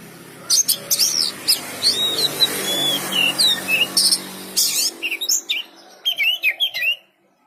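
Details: Oriental magpie-robin (kacer) in rapid varied song: sliding whistles, chattering notes and buzzy bursts in quick succession over a faint background hum.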